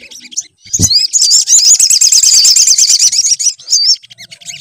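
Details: Sunbird song meant as a lure to make a sunbird sing: a low thump, then about three seconds of quick, shrill, looping high twittering, fading into scattered chirps.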